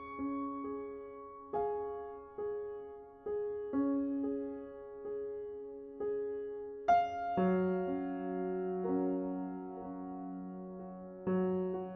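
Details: Soft piano music with slow, sustained chords and no animal voices.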